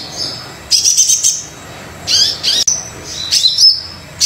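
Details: Lively brown-throated sunbird song used to prompt reluctant birds: high, thin chirping phrases with quick trills and sharp downslurred notes, in short bursts with brief gaps between them.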